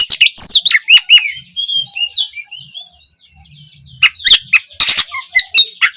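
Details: Oriental magpie-robin opening song used to encourage young birds to start singing: fast slurred whistles lead into a long soft twittering trill, followed by loud sharp chirps and clicks.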